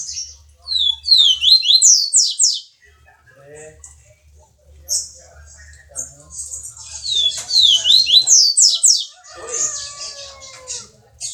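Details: Double-collared seedeater from Jordânia, Minas Gerais, Brazil, singing the viviti song style: bursts of rapid, steeply downslurred high whistles alternating with buzzy, chattering trills, separated by short pauses; faint low hum underneath.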